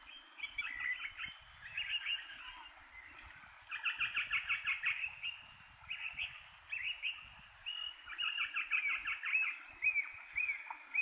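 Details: Three Eastern Rosellas, parakeets also called Kākā uhi whero, feed on seeds hidden in alder cones at Kapiti, New Zealand. Bursts of quick chattering, piping notes come in irregular clusters over steady background hiss.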